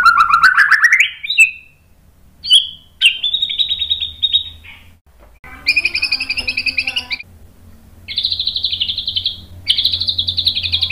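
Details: White-rumped shama singing to stir rival shamas into song: a rising whistled sweep, then long rattling trills and harsh buzzy phrases in varied bursts over a steady low background hum.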